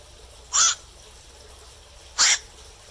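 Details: Black-crowned night heron after dark giving two loud, coarse kwok-like squawks, roughly one and a half seconds apart, against a still background.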